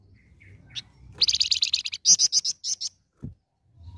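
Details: Flamboyan (red-fronted serin) in full song, used as a lure: a faint chirp, then a rapid high buzzy trill of about twenty notes, ending in separate louder sharp notes and a low thump.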